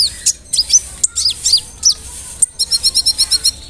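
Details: Large-bodied brown-throated sunbird singing vigorously, a lure meant to make rival sunbirds more aggressive. High, sharp, downslurred chirps are followed by an evenly spaced series of about nine bright, high twittering notes.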